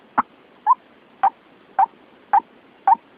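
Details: White-breasted waterhen trapping lure call: six short, hoarse notes with a slight upward bend, repeated about every half second over a steady hiss.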